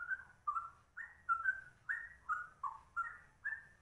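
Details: Straw-headed bulbul, rare trucuk style delivered ropel-rapid: clear, fluty warbled phrases repeat roughly every half second, each a rich slur that rises or falls.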